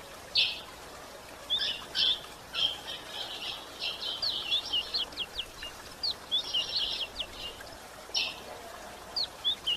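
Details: Female White-throated Seedeater calling to stimulate males: spaced, sharp high chirps building into buzzy twittered runs, then separate clicky notes again, over soft hiss.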